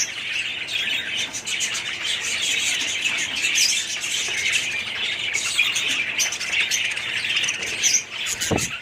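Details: Budgerigars calling together in a colony aviary in 2017: nonstop shrill twitter and scratchy squawks, then a single low thud near the end.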